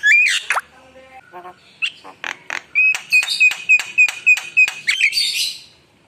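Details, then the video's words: Javan myna singing with rich fills: a loud whistled upslur, soft nasal notes, then a clear whistle repeated rapidly over harsh buzzy notes, closing in a grating rasp. "Suara Jalak Kebo Gacor Penuh Isian Mewah"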